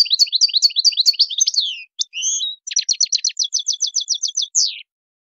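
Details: European goldfinch singing Tadmait-style song, played to teach young birds an error-free song: a rapid run of high twittering notes, a short buzzy pair, then a fast series of clipped repeated notes ending on a falling slur.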